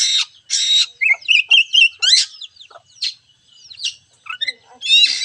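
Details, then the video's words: Lively oriental magpie-robin lure song meant to stir a lazy bird: harsh buzzy blasts alternate with rapid whistled trills, sweeping notes and sharp chips, ending with another rasping burst. "Pancingan kacer malas bunyi"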